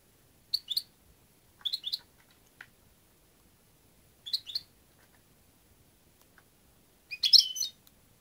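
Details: Brief, soft twittering notes from a European goldfinch come in scattered pairs and clusters, then end in a louder, denser chirruping phrase; the background is otherwise quiet.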